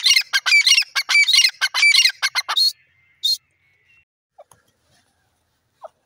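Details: Irani teetar, a francolin, giving a loud burst of harsh, rapidly repeated notes for about two and a half seconds, then a short final note and near silence with a few faint clicks.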